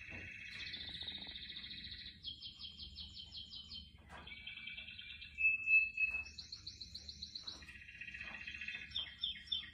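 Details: Loud, clean canary song recorded with houseplants: distinct phrases follow one another, including a buzzy roll, a rapid pulsed trill, a sharp steady whistle, a higher rattling trill and a closing cascade of quick downslurred notes.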